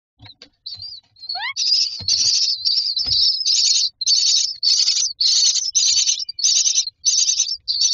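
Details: Myna chicks in a nest box begging for food: a quick rising whistled sweep, then a steady run of harsh, raspy high bursts repeated about twice a second, with faint low thumps from the box.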